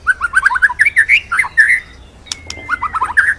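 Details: Training recording of a white-rumped shama in full rolling song: quick chains of warbled mid-pitched notes, a long thin sliding whistle after a pause, then more rapid warbles.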